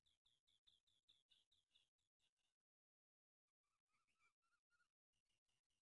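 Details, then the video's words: Black francolin calling in winter: a fast series of short, harsh, grating notes, some with a clear ringing tone, in two bursts separated by a second of silence. "Black tater voice sardi ka bular ❤️ٹھنڈ کا بلار کالا تیتر"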